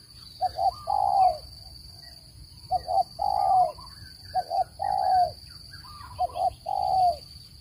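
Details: Trap-luring spotted dove call. Four repeated phrases of two clipped coos and one sustained, downward-ending coo, about every two seconds, with soft background chirps and a steady electronic hiss.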